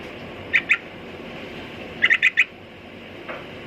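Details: Sooty-headed bulbul calling: two short, bright chirps, a pause of over a second, then a quick run of four similar clipped notes, heard over a steady background hiss.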